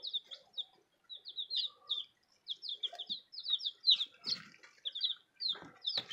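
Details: Newly arrived baby chicks giving rapid high peeps, each a short falling chirp, many overlapping in quick runs with brief pauses, plus soft rustling and scratching sounds.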